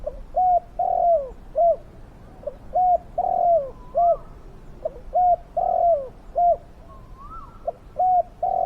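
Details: Decoy spotted dove, with a big fierce voice, calling to draw in wild doves for capture: steady low coos in phrases of one long downward-sliding note and several short clipped ones, repeated about every two seconds.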